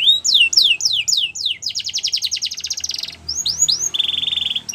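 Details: Canary singing: a run of rapid downslurred whistles, then a fast buzzy trill of repeated notes, a pause, more looping whistles and a steady high rolling trill at the end.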